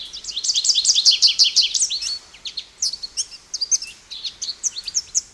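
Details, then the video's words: American goldfinch song with quick, high, repeated twittering notes, a brief pause, then more varied slurred whistles and chips in a lively series. "American Goldfinch Bird Call Song | Goldfinch Bird Singing | Goldfinch Bird Sounds"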